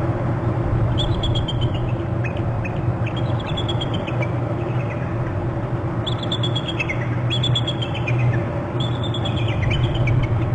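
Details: Two bald eagles arriving from the left at a bare branch near their Hornby Island nest on 6 March at 17:11, giving serious alarm calls: thin, high chittering series that fall in pitch, repeated several times over a strong low rumble.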